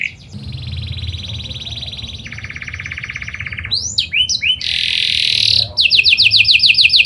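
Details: Panda canary singing as a lure for other canaries: long grinding buzzy rolls, a few sharp sweeping notes, a loud harsh burst, then a rapid pulsed high trill at the end.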